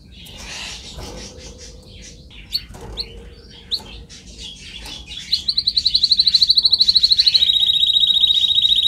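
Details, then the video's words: Canary singing for training purposes. Soft twittering and a few sharp clicks lead into a long, bright trill of evenly spaced rapid notes, held for over three seconds and dropping slightly in pitch partway through. "Canary singing"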